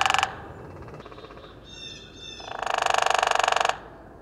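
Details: A Hairy Woodpecker drums against a tree once: a rapid, even roll of sharp taps lasting just over a second, after a brief knock and faint, thin tonal notes.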